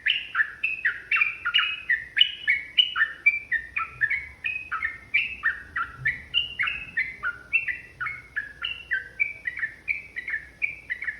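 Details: Provocative, fight-inciting ropel panjang song of a yellow-vented bulbul in full voice: a fast, unbroken stream of chirpy, gurgling paired notes, roughly three to four per second, continuing for over ten seconds over a quiet background.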